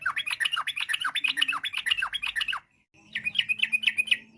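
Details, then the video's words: Chattering, varied song of a yellow-vented bulbul, used to draw replies from other bulbuls: quick strings of bouncy, gurgling notes, a brief gap, then another run, over a faint steady hum. "trucuk gacor, bikin trucuk lain nyaut seketika.! trucuk ropel, trucuk nggaruda, kicau trucuk fariasi"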